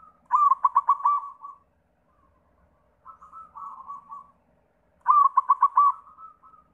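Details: Lure song of a white zebra dove (perkutut putih) meant to set other doves singing: two loud staccato coo bursts about five seconds apart, with a quieter warbling phrase between them.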